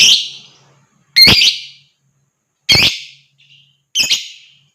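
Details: Lovebird shrieking as a trigger to get other birds singing and chattering. Four loud, harsh, slightly wavering screams, spaced about one to one and a half seconds apart, the last with a stutter.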